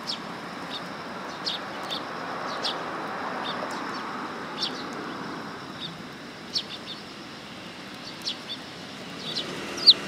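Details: At a Tenmangu shrine on 1 September 2022, a willow tit approaching for food utters sparse, sharp, high chirps spaced a second or more apart, with a louder final note, over soft broadband background noise.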